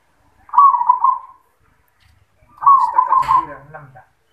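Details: Zebra dove in 'yoman' voice giving two rolled, bubbling coo phrases two seconds apart, the second overlapped by a brief voice and a tap.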